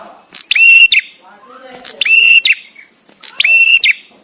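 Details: Male bar-winged prinia giving the visiting-male song, recorded with pauses for training songbirds: three loud, clear, level whistled notes with sharp clicking starts, about one each 1.5 seconds, with faint low murmuring between.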